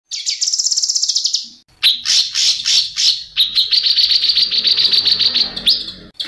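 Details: White-rumped shama singing energetically and agitated: a fast buzzy trill of high notes, then a run of loud whistled phrases and rapid repeated clicking notes, about three per second, with no other clear sounds.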